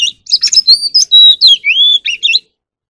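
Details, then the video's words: An Oriental magpie-robin singing and displaying in the morning: a rich, varied phrase of clear whistles, slurred rising and falling notes and quick twitters, lasting about two seconds. "Chòe than hót múa"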